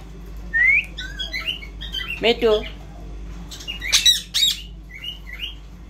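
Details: Talking Indian ringneck parrot producing a rising whistle, soft chattering syllables, a voice-like harmonic phrase mid-clip and two sharp shrieks, with quieter chirps afterwards; low background hum.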